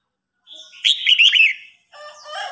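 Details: Red-whiskered bulbul in a contest between an old bird and a young challenger, giving one loud rippling warbled phrase after a soft lead-in, followed by a quieter, broader chattering sound.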